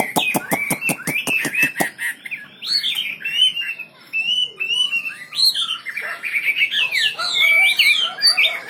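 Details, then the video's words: Wambi bird in gacor song for songbird tutoring: opens with a rapid burst of sharp clicks over whistling, then a varied, lively warble of swooping and rising whistled phrases. "Burung wambi istimewa gacor full"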